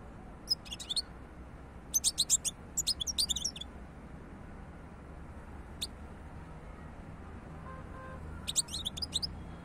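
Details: European goldfinch singing in scattered bursts of rapid, high, liquid twittering notes, separated by silent gaps, with steady faint low background noise.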